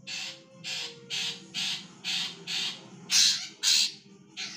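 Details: Female greater green leafbird calling, used as a lure to get males singing: harsh squawking notes repeated about twice a second, each a broad raspy burst, the last ones louder, over a steady low hum.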